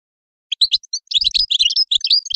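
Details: Sparse chirps from a European goldfinch build into a quick, jangling run of twittering notes that keeps going to the end.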